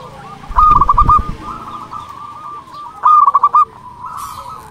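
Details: Zebra dove of local stock singing as a lure to stir rivals: two short bursts of quick pulsed cooing trills separated by a softer sustained murmur, with low rumbling background noise early on.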